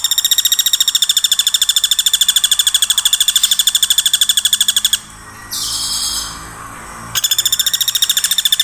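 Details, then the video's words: Nonstop woodpecker calling used as a training master for songbirds like white-rumped shama, greater green leafbird and long-tailed shrike: a long run of rapid, high, ringing notes, a short gap with a hiss, then the rapid series resumes. "MASTERAN PAKE SUARA PELATUK TEMBAK TANPA JEDA"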